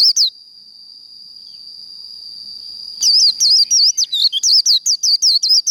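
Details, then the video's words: After a single chirp and a long steady high tone, a Japanese white-eye breaks into líu đấu fighting song, nearly three seconds of fast, wavering, high-pitched chirps. "Vành khuyên líu đấu"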